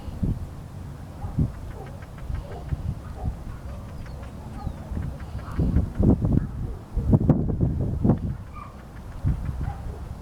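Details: Crested duck (Lophonetta specularioides) at Río Gallegos, Santa Cruz, Patagonia, Argentina, on 11 September 2020, giving low, rough quacking notes in irregular bursts, with a louder flurry partway through over a steady low rumble.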